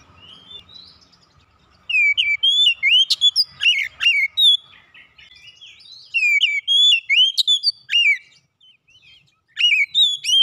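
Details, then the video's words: Kacer, the oriental magpie-robin, singing a lure track meant to set other birds off: rich, fast sequences of slurred whistles and sharp chirps, grouped in bursts separated by brief silences, with faint low hum beneath. "PANCINGAN KACER macet bunyi sudah pasti ikutan gacor"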